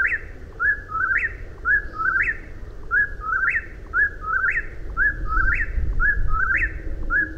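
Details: Whippoorwill calling steadily, its whistled phrase with a sharp rising end repeated rapidly, nearly every second, above a low rumbling backdrop.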